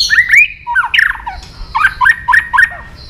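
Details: White-rumped shama singing with emotion: rich whistled slurs and rising notes, then a quick series of repeated short rising whistles.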